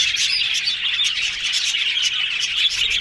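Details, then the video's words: Yellow budgerigars chattering happily, quick bright tweets and short whistled squeaks layered over a constant warbling murmur. "Yellow Budgies Talking Sounds Happy"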